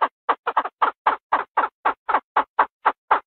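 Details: Chinese francolin calling to the male with short, grating, nasal notes in a quick, fairly even series of about four per second, a few notes paired closely together.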